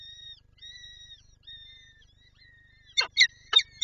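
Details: Wanting to feed its chicks, a peregrine falcon at Lublin on 23 April 2024 gives drawn-out thin, level whines in three long pieces, then two short, loud, grating notes near the end.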